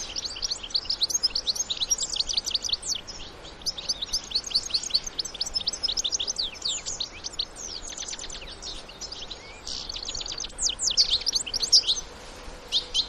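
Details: A wild European goldfinch family, adults with young, in natural surroundings: a long continuous stream of rapid, tinkling high twitters and sharp chirps, with brief pauses and some louder bursts, over soft ambient noise.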